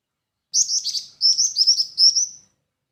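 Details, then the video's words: Black-winged flycatcher-shrike giving two linked runs of high, thin, slightly buzzy notes, the second run longer and fading out in a drawn-out tail. "suara burung jingjing batu"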